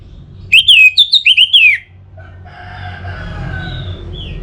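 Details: Caged orange-headed thrush from North Bali, song used to encourage other birds to sing steadily. One loud burst of quick, looping whistled notes repeated several times within a second, followed by softer distant crowing and background noise.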